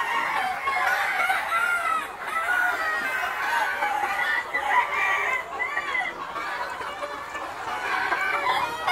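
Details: Chickens of the Noi, bantam and crossbred types let out to forage in a spacious yard: arched, rising-then-falling calls repeat among thick clucking chatter, swelling and easing in waves throughout.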